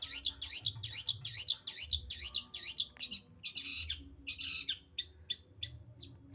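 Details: Black drongo song from an Indonesian bird-keeping recording: a fast rhythmic series of rasping chevron notes, about two per second, then broader harsh bursts and short clipped chips, over a low background hum.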